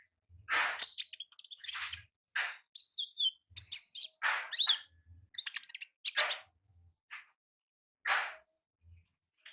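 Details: Wild olive-backed sunbird singing in the ngalas style: bursts of sharp, very high chirps and dry rattling notes in uneven clusters, with short silent gaps between phrases.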